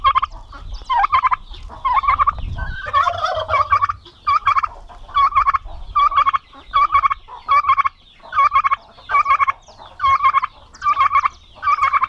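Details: Several fierce male domestic turkeys together on a Paraná farm in Brazil keep up a long run of about a dozen rapid, throaty gobble bursts, the calls overlapping at first and then evenly spaced.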